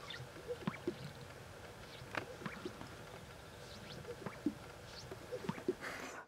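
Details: Greater Sage-Grouse lek display at a Wyoming lek in breeding season: soft, hollow, bubbly pops and plops, often in quick pairs, repeated by several males against a low rushing background.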